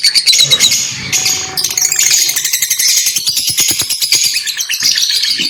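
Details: Several lovebirds chattering together, an unbroken stream of high-pitched squeaky chirps and twitters over fast ticking clicks, with a brief low steady tone early on.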